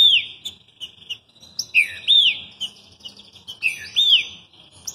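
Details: Green-winged saltator from Rio de Janeiro, Brazil, singing steadily: strong whistled phrases built from bowed, down-curving notes, repeated roughly twice a second in groups, over a quiet background.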